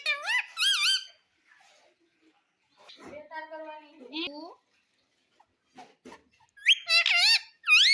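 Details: Talking Indian ringneck parakeet kept as a pet, reported to say mummy and papa; wavering high-pitched vocal bursts open and close the moment, with a person's lower voice speaking in between.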